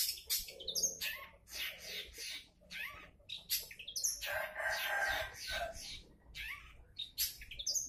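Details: A long-tailed shrike gives a busy, harsh song of scratchy chatters and high squeaky notes in quick bursts. The recording is used as a lure to prompt other shrikes to sing.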